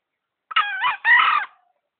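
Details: One hoarse, two-syllable crow from a tame green junglefowl from Gunungkidul, lure-caught and kept three months: a short grating opening note, a tiny pause, then a drawn-out raspy second note that tails off. The background is quiet.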